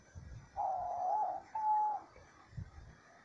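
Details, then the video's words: Two drawn-out, soft coos from a diamond dove in nature, the first wavering, the second higher and steady, over faint background hiss and a low thump. "ROLINHA DIAMANTE CANTANDO MUITO - CANTO DA ROLINHA DIAMANTE NA NATUREZA"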